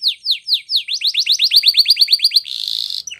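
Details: Canary giving a training song: three slow falling whistles, then the notes speed into a quick even series of downslurs before breaking into a harsh, dense buzz.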